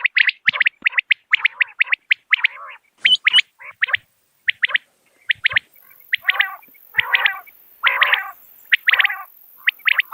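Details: Common quail, a clean natural call prized by hunters for luring birds: sharp, bright notes in rapid clusters of three or four, separated by brief gaps, with some rougher, lower buzzy phrases between them.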